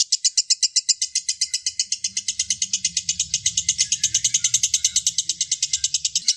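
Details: A long ngekek from a lovebird, meant to stimulate other lovebirds into singing. A shrill, unbroken string of fast chattering notes runs throughout over a faint low rumble in the background.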